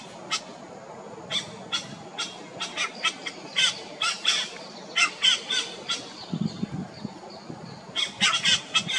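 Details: Yellow-rumped cacique on Comandatuba Island, Bahia, Brazil, recorded in 2020: a rapid, uneven series of harsh, clicking squawks and sharp chacks, with a brief low rumble midway through.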